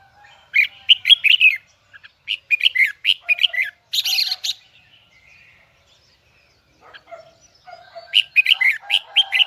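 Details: Red-whiskered bulbul, Huế type, in strong high twisting voice: repeated phrases of five or six quick, bright, downslurred notes, separated by short gaps and a brief quiet spell before a final phrase.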